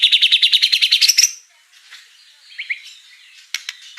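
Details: White-rumped shama in full fill-in song opens with about a second of rapid, even, rattling notes, then drops to faint scattered chirps and a couple of soft whistled slurs.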